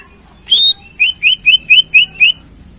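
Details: Greater green leafbird singing, meant to rouse contest birds: a series of six clear, slightly rising whistled notes evenly spaced about every quarter second after one longer opening note.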